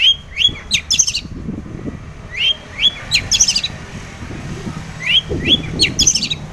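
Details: Long-tailed shrike singing energetically, meant to provoke other shrikes into song: clusters of high, thin upslurred whistles and sharp ticking chirps repeated in bursts, with faint low-pitched noise underneath.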